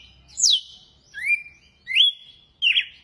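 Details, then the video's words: Brief run of açoite song by a red-cowled cardinal: four loud whistles, the first swooping down steeply and the rest rising then holding a bright flat pitch. "GALO DE CAMPINA CANTO AÇOITE"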